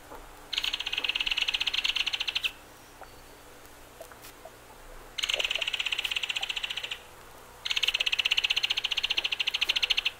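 Belted Kingfisher giving three loud, dry rattles, each a fast run of harsh clicking notes lasting about two seconds, separated by brief pauses.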